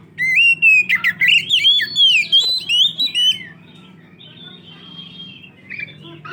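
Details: Oriental magpie-robin singing energetically, meant to lure other magpie-robins. About three seconds of loud, rapid, sliding whistles and warbles over a low steady hum, followed by fainter whistled notes.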